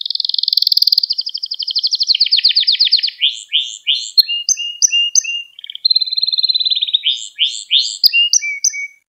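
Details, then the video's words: Training song of a canary for teaching young birds to sing: a rapid high rolling trill slides lower, then breaks into repeated chirp pairs, short whistles and fast buzzy tours, changing pattern every one to two seconds. "Kanarya Ders Ötümü ve Kanarya Sesi"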